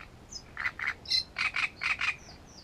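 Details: Great reed warbler song at Grachevka, recorded 17 June: loud rasping, croaky notes in paired bursts, separated by a sharper high squeak, and brief thin whistles at start and end.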